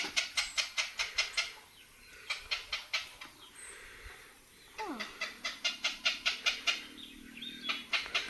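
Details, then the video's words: A heron in the Philippines gives a mating call of harsh, clacking pulses, about two or three per second, in bursts with brief pauses between series, while a person speaks in the background. "Why is this heron making this sound?"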